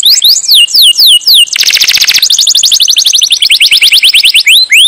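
A canary sings loudly in fast tours: sweeping whistled notes, then a dense buzzy roll, then rapid rising and falling trills repeated many times per second.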